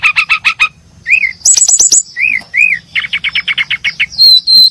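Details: Brown-chested jungle flycatchers chirping: a quick run of stacked sharp chirps, then arched whistled notes, a fast rattling trill of short notes, and thin high whistles at the end.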